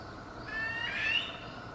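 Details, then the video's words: Mating call of a Barbary partridge, recorded May 2020: one strained, upward-sliding squeak that brightens toward its close, with constant low hum behind it. "Barbary Partridge Mating Call"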